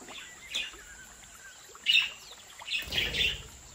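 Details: Captive Australian budgerigars in a home breeding aviary chirp in short, bright, scratchy bursts near 0.6, 1.9 and 3 seconds, the last a busy double cluster, over a steady high hiss.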